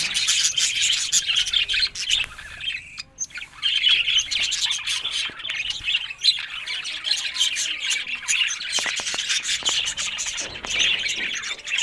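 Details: Budgerigars, described as happy and talking, fill the air with continuous overlapping chirrups and scratchy warbles, punctuated by crisp clicks and a brief lull near the third second.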